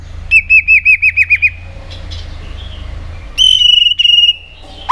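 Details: White-rumped shama song used for training other shamas to sing strongly; nine quick identical whistled notes in a rapid run, a pause, then a long rich trilled whistle held steady, ending with a sudden rising note.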